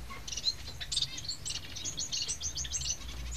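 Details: Society finch nestlings give a busy stream of high, thin, overlapping chirps, quick and jittery with brief louder bursts, against a steady low-pitched hum.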